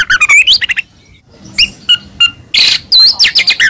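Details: White-rumped shama (murai batu) tutor song with a full repertoire: a fast jumble of varied whistles and sweeping notes, a brief lull with scattered chips, then dense buzzy bursts and looping whistles.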